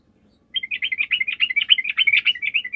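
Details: A continuous, energetic chattering song from a sooty-headed bulbul, played as a lure for other birds to answer, with quick warbled notes tumbling up and down without a break.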